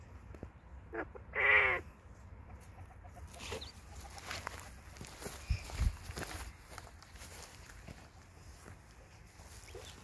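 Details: A male tuxedo Japanese quail, filmed in a garden with hens, gives one loud, harsh, stuttering crow near the start, followed by soft hen clucks and a low background rumble.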